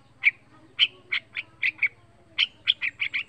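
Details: Young yellow-vented bulbul, a caged pet songbird, singing lively: short bright chirped notes in two quick bursts, five then six notes, over a faint low hum.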